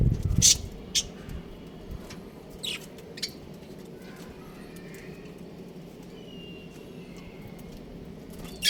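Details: Breeding pair of budgerigars kept as pets, giving scattered short high chirps, a cluster early on and another at the close, with soft faint whistles between and low background hum.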